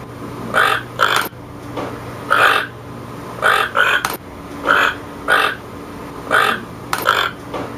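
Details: Toucan repeating coarse, croaking calls, mostly in close pairs, around a dozen harsh notes spaced irregularly, with occasional sharp clicks and a low continuous hum in the background.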